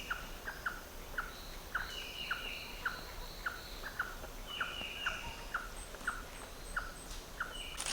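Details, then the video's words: White-tailed Trogon calling on Pipeline Road in the Gamboa rainforest, Panama, in March, flicking its tail in time with its calls, near slaty-tailed trogons; evenly spaced short clucking notes repeated about twice a second, with insect hum and other birds behind. "thought it was funny how it was flicking its tail in time with its calls."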